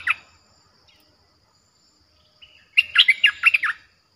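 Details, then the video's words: Streak-eared bulbul song played to lure wild birds, described as fierce: a short burst of five or six quick, bubbly, warbling notes near the end after a lone opening chirp and silence. "เสียงนกดอกแตงEp.98เสียงดุดัน เปิดต่อนกป่าตัวดุๆ"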